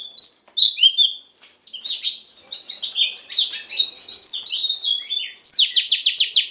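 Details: Oriental magpie-robin female voice used to excite the male, a continuous jumbled warble of slurred whistles and scratchy notes, ending in a fast run of about seven repeated downward-sweeping buzzy strokes.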